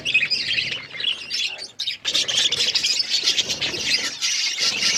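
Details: Flock of budgerigars feeding, giving harsh squawks and scratchy warbling chatter in a thick overlapping chorus, briefly dipping, then continuing loud to the end.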